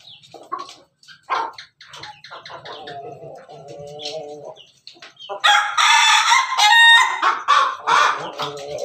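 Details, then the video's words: Ayam Ketawa (laughing chicken) rooster, red, perched on top of its cage, crowing melodiously: broken runs of short, clucking syllables, then a loud, rich, harmonic crow in the last few seconds, with possible other fowl nearby. "Ayam ketawa di atas kandang, simerah pendekar berkokok yang merdu"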